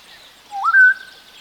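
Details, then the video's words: Western Black-headed Oriole (Oriolus brachyrynchus), an African oriole, gives a single fluting whistle that starts low and slides up to a clear, sustained note of about half a second, over soft background hiss. "Western Black-headed Oriole (Oriolus brachyrynchus)"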